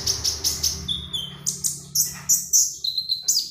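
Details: Magpie robin singing vigorously, a recording used as a lure to train other birds to sing: rapid bursts of very high, sharp chirps, then drawn-out clear whistles and a few scratchy high phrases, over a faint low steady hum.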